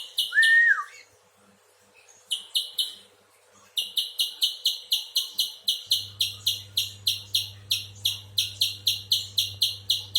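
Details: A brief whistle from another bird opens, then a spectacled spiderhunter starts up with a long, regular series of harsh, high chips, about two per second, with a low hum joining later.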